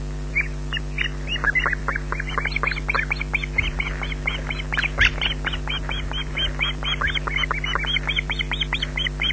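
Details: Hungry smallest osprey chick at Loch Garten, Scotland, June 2012, shrieking for food from the adult female: long unbroken sequence of shrill, quick, pulsing cries building in density, steady hum underneath.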